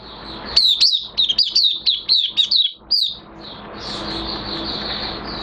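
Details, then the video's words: Oriental white-eye in minor moult, 3 June 2022, giving a quick burst of sharp, downslurred high whistles, roughly eight notes, followed by softer continuous twittering over a background hum. "Mata Puteh Kitaro V1 buka sing"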